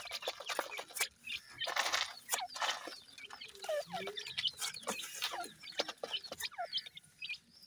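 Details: Grey francolin chicks, seven days old, calling while feeding: a busy stream of short high cheeps and downslurred peeps mixed with dense tapping and scratching clicks.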